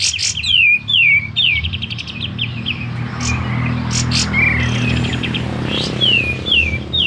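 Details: Sooty-headed bulbul kept at home, singing freely though its tail is not yet spread, used as a lure bird: repeated bright downslurred whistles and quick chirps over loud low rumbling background noise.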